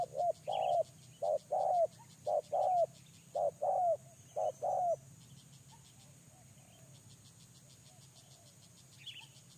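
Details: Spotted dove used as a lure bird for trapping, giving paired coos: a short clipped note then a longer falling one, repeated about five times over five seconds before falling quiet, with a steady pulsing insect chorus high above.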